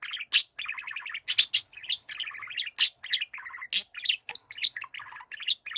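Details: Continuous warbling of a young pet budgie singing to its gentle elder: tumbling chatter of buzzy trills, sharp high squeaks and clicks, loud and nearly unbroken throughout.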